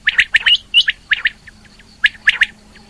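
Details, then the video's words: Female rain quail vocalizing. Rapid, bright twittering notes cluster in quick groups, pause briefly, then resume, with a low steady hum beneath. "Female Quail Calling | Rain Quail Calling"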